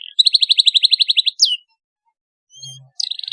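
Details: Canary song meant to encourage other canaries to sing: a quick run of about fifteen evenly repeated high notes, a falling whistle, a pause, then another trill beginning.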